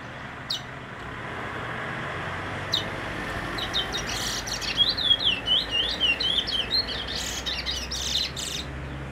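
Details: Brown bullfinch: after a few sharp clicks, a string of quick, undulating high whistled notes about four per second, mixed with soft rustling.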